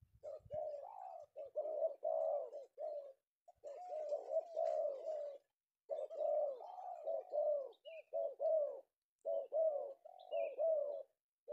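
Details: Captured male spotted dove, a penguku-style tekukur sought by Indonesian bird trappers, recorded in the afternoon: long series of mellow, wavering coos in clustered phrases with brief silent gaps, one faint high chirp from another bird.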